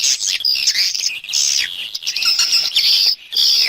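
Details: Swiftlet external sound from a 2020 set: sustained shrill twittering with piercing whistled notes, broken by a brief pause near the end.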